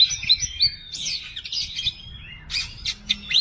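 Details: Oriental magpie-robin singing: varied whistled phrases, harsh chatters and sweeping notes in a lively jumble, with low background noise.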